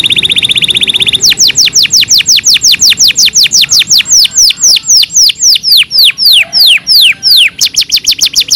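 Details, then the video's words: Training song for pet canaries: a short high steady trill opens, then a long run of loud descending whistled notes repeated about four per second, ending in a quicker rolling tour. "KANARYA SESİ EĞİTİM ÖTÜŞÜ CANARY VOICE!!!"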